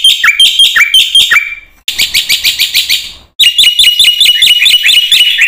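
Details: Black-winged myna in strong, full song played to stimulate quiet mynas: three stretches of loud, rapid, harsh chattering with whistled slides, separated by two short pauses, notes repeated at a brisk, even pace.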